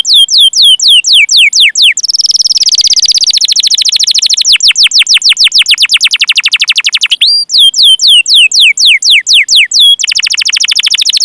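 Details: Extended canary song for training other canaries: bursts of fast falling whistles alternate with long, dense buzzy rolls, and a single clear high note rings out in the middle, with notes running at about four per second.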